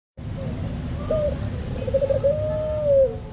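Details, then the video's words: Puter dove song used to stimulate captive doves to sing: one long, low, wavering coo phrase with a rising start and a drawn-out falling end, over a steady low hum. "Suara Burung Puter | Sound of Puter Bird"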